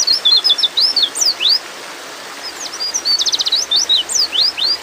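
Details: Breeding-mood female white-eye calling to a male: lively high slurred chirps and upward sweeps, a pause, then a fast buzzy trill followed by more rising and falling notes, with soft background hiss.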